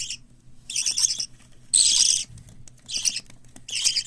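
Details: Young captive parakeets, a group of white lovebird, cockatiel and budgerigar chicks, give scratchy, trembling bursts, one louder harsh rasp standing out among softer wavering calls.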